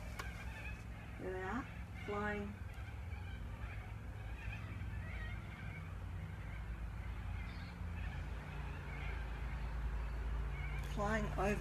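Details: Black cockatoos arrive and pass over, giving a few drawn-out, wavering wails, with a person talking and a low background rumble; kookaburras, doves and chickens also around.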